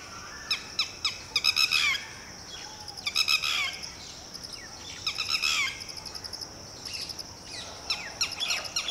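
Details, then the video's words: Red-wattled Lapwing, or titehri, parent calling to its newly hatched chick, ordering it to run and hide: bursts of sharp, harsh notes with quick rapid runs between short pauses, over a steady high insect-like hiss. "Lapwing chick is newly hatched yet has the ability to run and hide, on Mama's orders!"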